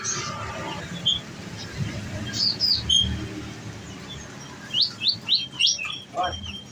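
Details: Caged konin, the olive-backed sunbird, fed on nectar: a few isolated high chirps, then a fast run of five or six sharp upward-slurred notes; steady low background noise.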